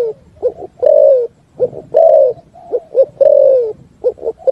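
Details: A spotted dove sings its 'thúc gù' song over a faint low rumble. Short coos alternate with drawn-out falling coos in repeated phrases.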